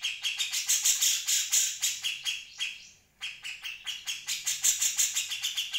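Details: Grey-cheeked Bulbul song for tutoring other birds: quick harsh chattering notes, an abrupt pause of under a second, then the rapid scratchy series resumes at the same pace.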